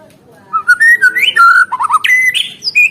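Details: Murai batu, the white-rumped shama, singing hard as therapy for stalled caged birds: a fast run of rising and falling fluted whistles and short warbled notes, ending on a steady high whistle.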